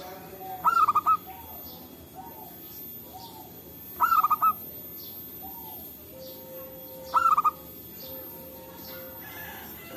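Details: Local wild zebra doves calling back and forth in forest, used as a trapping lure: three short phrases, each a sharp rising coo dissolving into four or five quick stuttered notes, roughly every three seconds, over faint background chirps and a steady hum.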